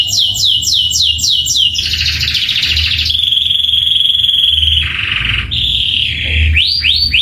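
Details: Canary song with rolls and bursts: a fast run of repeated descending chirps, a buzzy trill, a long steady high whistled roll, a lower trill, then more swooping notes, all loud over a low background rumble.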